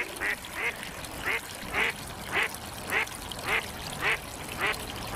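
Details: Duck calling beside ducklings swimming in a pool: a steady series of short, nasal quacks, about one every half second, against constant noisy background.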